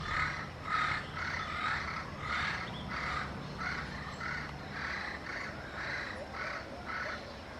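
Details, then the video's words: Yellow-fronted parrot communicating with its peers: a steady series of harsh, nasal squawks, about two every second, over a low rumbling background. "yellow-fronted parrot comes to communicate with its peers"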